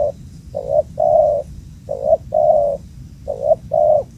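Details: Booming-voiced wild spotted dove at a previously used place, cooing steadily: three paired phrases, a brief hoot followed by a longer level coo, roughly every 1.4 seconds, with a faint high hiss in the background.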